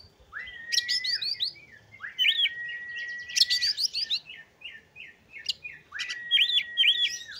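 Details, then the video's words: Oriental magpie-robin song, used to prompt sluggish birds into full song. Long level whistles repeat under bursts of quick, rising chattering notes in three rich phrases separated by short pauses. "TERAPI PANCINGAN KACER LELET MALAS BUNYI LANGSUNG GACOR"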